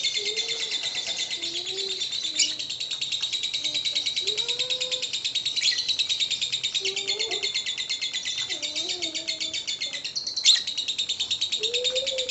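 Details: Continuous, high, rattling ngekek chatter from a lovebird, played to provoke other lovebirds, with occasional sharp clicks and soft lower warbling whistles faint in the background.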